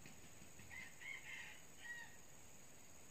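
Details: Red junglefowl call used as a lure for wild junglefowl: a short, hoarse crow of about four linked syllables spread over roughly a second and a half, fairly faint above a steady background hiss.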